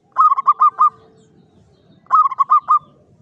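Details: Zebra dove from Java in a classic Mataraman cage, clear klowongan song: two phrases of quick, bubbling coos, about five then four notes, a second apart, over faint low background noise.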